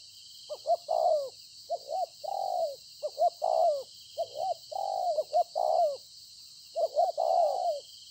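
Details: Wild-caught spotted dove decoy cooing at Konlong on 26 September 2020, about five phrases of short stuttered notes ending in a long downward coo, with a continuous faint high hiss.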